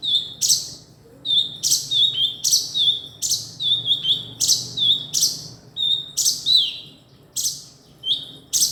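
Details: Male kinoi delivering a long run of about fourteen high, piercing chirps, each a sharp burst ending in a short whistled tick, given rapidly and fairly evenly, with a brief pause near the end and low background hum.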